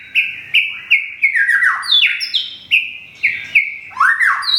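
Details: Whistled song of a white-rumped shama from Thung Song, Thailand, its feathers almost regrown after a moult: bright notes falling in pitch, repeated in quick succession, then a higher swooping phrase, against silence.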